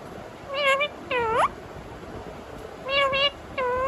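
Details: Pet Indian ringneck parakeet in a talking mood, imitating a cat: four harmonic meow-like calls in two pairs, the second of the first pair sliding sharply upward, over quiet room hiss.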